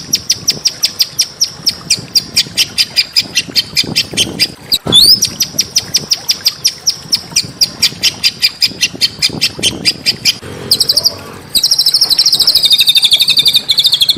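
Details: Small birds recorded as training audio to provoke a murai batu (white-rumped shama): a long run of rapid sharp high chirps with one upward sweep, then a buzzy, fast trilling phrase to finish.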